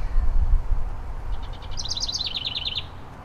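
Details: A pair of house wrens at a backyard birdhouse. A rapid run of about a dozen high, clipped chirps starts faint and grows louder over roughly a second and a half. Low rumbling background noise runs throughout.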